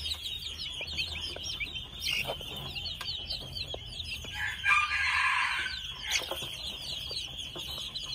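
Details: Red junglefowl chicks at two months of age chirp in quick, high, downward-slurred peeps, interrupted midway by a louder, broad, raspy sound.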